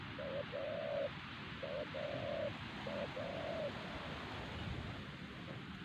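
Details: Wild spotted dove at Siosar, a strong-voiced target bird being lured with a trained decoy, cooing three times in a row: each phrase is a short low note followed by a longer, steady, hollow coo, against constant hiss like wind or surf.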